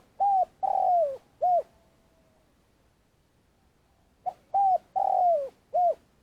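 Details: Decoy spotted dove in Vietnam, used to lure others into traps, repeating its long call twice. Each phrase has a short note, a coo, a long falling croo and a closing coo, with a pause of almost three seconds between phrases.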